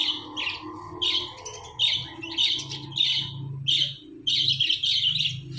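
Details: Pair of pet parrots, a male teasing a female. High, rapid chirps come in short groups, nearly two per second, over a steady low indoor hum.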